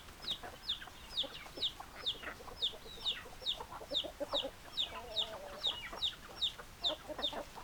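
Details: Chickens, hens clucking and roosters crowing: a steady run of thin, high, downslurred chirps about twice a second over softer overlapping low clucks, with a constant hiss in the background.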